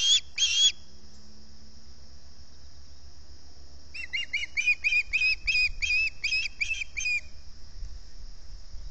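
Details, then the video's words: Ospreys at a nest at Salt Point, camera microphone, early morning of 11 August 2020 around 6:15, begging from hunger: two loud sharp notes, a pause, then a fast run of about ten whistled, slightly rising chips over low background hum. "Early morning hunger pains"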